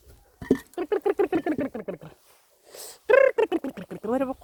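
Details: Rapid series of chicken clucks, about eight per second and gently falling in pitch, then a brief breathy hiss and a second burst of louder, rising and falling clucks.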